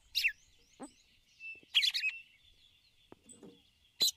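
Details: Female red-cowled cardinal giving ticulau calls toward the male: dense, bright chirp bursts at the start, middle and end, separated by quieter clicks and distant bird twitters.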